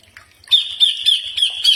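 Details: Green leafbird song for training other birds to answer: after faint ticks, a sustained high, slightly wavering whistled note with short bursts of chatter overlaid.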